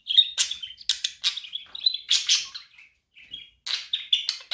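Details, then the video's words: Budgerigar chirps intended to make a lonely budgie active, a dense warbling stream of scratchy high notes with a brief quiet pause before the chatter resumes. "Cute Budgie Different Chirping Sounds"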